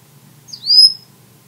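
An African grey parrot gives one clear, high whistle that dips briefly, then holds steady and fades after about half a second. A faint low hum sits underneath.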